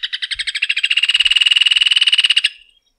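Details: Rufous hornero song already underway: a loud, ringing series of sharp notes that speeds up into a dense trill of rapid pulses, then stops abruptly after about two and a half seconds.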